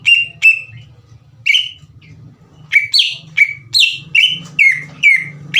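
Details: Vigorously singing Greater green leafbird, played to excite other leafbirds: a couple of whistles, a pause, then a regular series of loud descending whistled notes about two and a half per second, over a low background hum.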